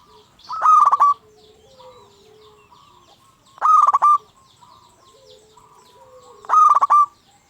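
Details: Local zebra dove singing to excite other zebra doves into song. Three strong, rattling trilled coos arrive about every three seconds, with low soft murmurs and faint bird chirps in between.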